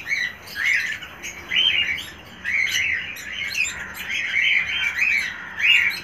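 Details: Hand-fed cockatiel chick giving a steady stream of scratchy, wavering high begging squawks in pulsing bursts roughly every second.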